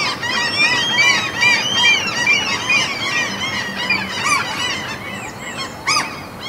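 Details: Many seagulls calling at a Norwegian mountain fjord, a loud, dense run of quick harmonic yelps about two per second, overlapping throughout, with a sharp click-like burst near the end.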